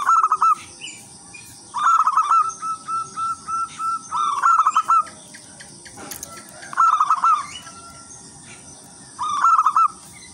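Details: Lively lure song from a local wild zebra dove: beaded, rolling coo phrases in bursts every couple of seconds, plus soft higher chirping from other birds.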